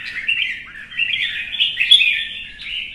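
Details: Red-whiskered bulbul in a singing contest, heard as a continuous dense stream of chattering, warbling notes with little pause, swelling toward the middle and easing off at the end.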